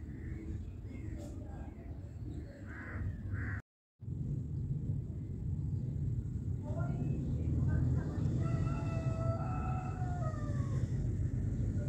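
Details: A hen eating rice, with fighting over food, gives drawn-out, wavering calls and short clucks, mostly in the second half, over a steady low rumble of background noise.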